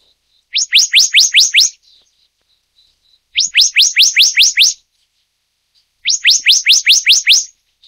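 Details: Black-naped monarch, Taiwan's endemic subspecies Hypothymis azurea oberholseri: three bursts of six or seven sharp, rising whistled notes in quick succession, the bursts coming about every two and a half seconds, with near silence between them.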